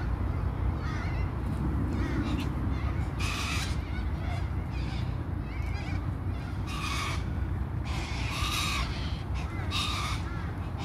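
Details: At a shopping centre car park in Brisbane, Australia, cockatoos give four or five loud, harsh, grating screeches a few seconds apart, over a steady low rumble of traffic.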